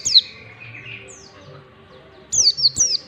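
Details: Ngalas-style mountain white-eye song for teaching birds: one high falling whistle and a soft buzz, then after a pause three quick sharply descending whistled notes.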